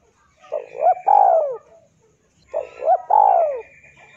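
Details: Spotted dove cooing, used for training captive birds to sing: two short soft notes lead into a longer, falling, mellow coo. The phrase is given twice, about two seconds apart.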